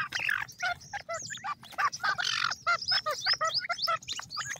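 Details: Pheasant chicks, locally called teetar, being fed: a busy run of short chirping and squeaky harmonic notes with rising and falling inflections, many calls overlapping in quick succession.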